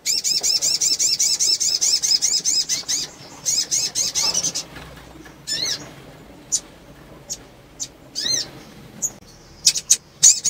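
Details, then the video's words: Female sunbird in breeding condition, calling to stir males into quick singing: a rapid run of thin, high chevron-shaped notes for about three seconds, then scattered sharp chips and short high bursts. "PANGGILAN SOGON BETINA BIRAHI MERANGSANG SOGON JANTAN CEPAT BUNYI"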